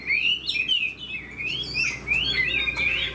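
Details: Chinese hwamei, a caged bird praised as a good fighter, sings smooth gliding whistles that rise and fall in a continuous melodic line, over a low steady hum.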